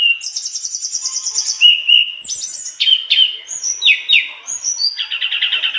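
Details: Mangrove blue flycatcher singing a rich, fast medley: rapid trilled rattles, whistled slurs and descending sweeps that jump between pitch levels, closing in a buzzy high trill, with almost no pauses throughout.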